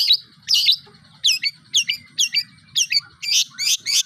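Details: Long-tailed shrike (cendet) delivering learned imitation material: tengkek buto, kunti, armagedon, kapas tembak, cucak jenggot and lovebird. Harsh, squawky, downslurred notes come in separate bursts about twice per second, some doubled, with a faint low hum beneath.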